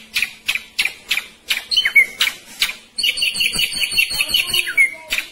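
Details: Ashy drongo singing from a hanging cage in the 'roll tembak speed rapat' style. A series of harsh, buzzy broadband notes comes about every 0.3 seconds, then a dense, rapid run of chattering notes with a few clear whistled slurs.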